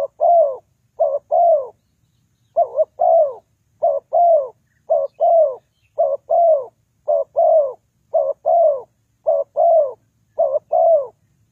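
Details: Steady cooing of a spotted dove serving as a lure for trapping; short two-part coo plus a longer downward-sliding note, repeated rhythmically roughly every second without other sounds.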